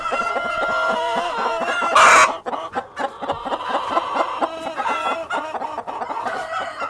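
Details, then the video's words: Farm cockerel and hens clucking in steady short bursts, interrupted by one loud, harsh noise burst, then the clucking continues evenly. "World of Sound: (Cockerel and Hens)"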